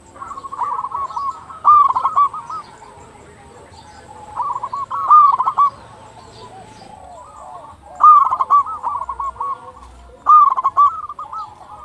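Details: Local zebra dove song for luring others to call: clustered runs of fast, bubbling coo notes arrive about every three seconds, with other doves trilling softly in the background.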